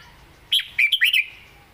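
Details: Caged red-whiskered bulbul singing a southern-style song: one quick phrase of about five bright, slurred whistled notes, rising and falling, lasting under a second against a quiet background.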